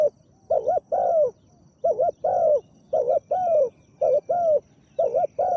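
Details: Spotted dove, a captive decoy bird with a big voice used to lure a wild dove, gives repeated paired low cooing phrases: a short double note followed by a longer falling coo, about once a second, with a faint steady hiss.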